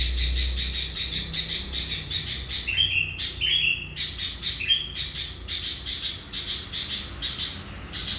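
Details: Sooty-headed bulbul singing gacor as a lure bird for catching wild bulbuls; dense rapid chatter with three short whistled phrases in the middle stretch.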